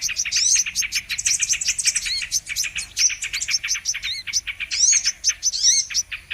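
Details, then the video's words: Brown-throated sunbird lure recording for trapping birds: fast, dense run of sharp high chirps and thin twittering notes, with a few brief rising whistles over a steady chattering stream. "Mp3 Pikat Burung kolibri MANGGAR/KOLIBRI KELAPA"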